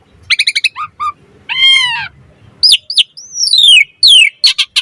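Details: Asian pied starling song used as a lure and for training birds: loud varied phrases of stacked harmonic notes, a drawn-out harmonic whistle, then steep descending whistled slurs and sharp chips, with brief pauses between phrases.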